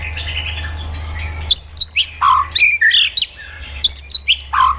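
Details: White-rumped shama singing in a wild-forest style, used to stimulate and train caged birds: after a low hum, a burst of rich, varied whistles, sweeping phrases jumping between low fluty notes and high bright slurs, delivered in quick bursts.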